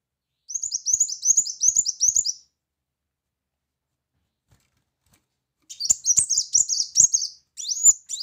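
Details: Brown-throated sunbird giving loud 'shot' phrases in a tutoring song: a quick rattle of high, thin chips lasting two seconds, a long silence, then another dense burst of sharp notes.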